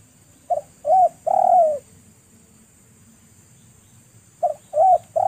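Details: A spotted dove calling in the wild, cooing in two phrases of three hoarse notes each, the last note longest and falling slightly, with a steady high hiss behind.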